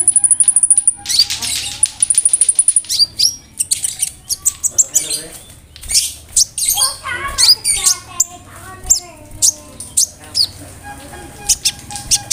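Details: A konin bird delivers mimicry of cricket, brem, kamade and rambatan, used to tutor songbirds; starts with a high sustained trill and rapid ticking, then a jumble of harsh squawky notes, warbles and scattered sharp chirps.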